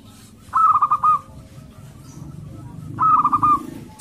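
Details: Local male zebra dove courting a female: two short rolling, stuttering coo phrases about two and a half seconds apart, over a low background murmur.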